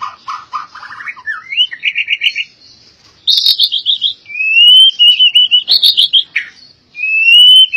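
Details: Albino white-rumped shama in varied song: low rising trilled notes building up, a short pause, then bright high whistles and a long steady whistled series with quick repeated notes, ending in a rising whistle.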